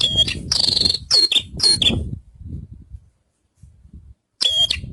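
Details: Javan bush lark singing: dense bursts of buzzy, rasping notes with thin whistled tones, a clustered phrase in the first two seconds, a quiet gap, then another harsh burst.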